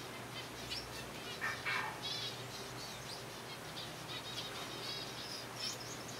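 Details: Zebra finches from a kept colony calling while being fed soft food; short nasal, harmonic notes come in scattered bursts, with a louder pair of calls near the middle over a steady low hum.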